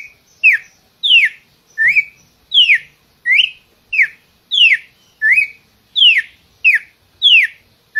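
Red-cowled cardinal singing a clear, steady run of loud whistled slurs, mostly falling, some rising, about one and a half per second. No other sounds intrude.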